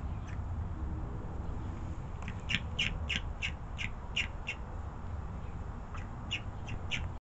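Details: Bald eagle chick calling: rapid bursts of short, high chipping notes, in a run of about nine then a later group of four, over steady low rumble and background noise.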